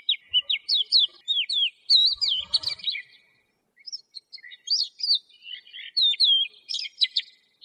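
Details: Lark delivering rising and falling whistled notes in quick succession, with a brief pause mid-way, then more chirps and a short rattling burst.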